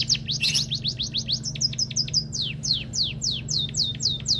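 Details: Rapid series of high, thin whistles from a white-headed munia, each note sliding up, later sharply down, repeated several times a second against a constant low electrical hum.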